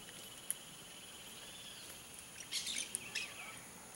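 A Blaze-winged parakeet gives a few short, harsh, scratchy screeches in two quick bursts, over a steady high insect drone.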